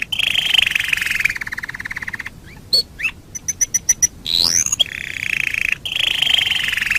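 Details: Canary song as a master for bird training: long buzzy rolls open and close the phrase, with hooked notes, a burst of sharp chips and a sweeping whistle in the middle.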